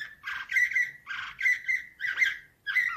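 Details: Canary performing Slavujar nightingale-style song, 2024: repeated loud warbling phrases roughly every half second, mixing harsh chirps with clear, ringing whistled notes.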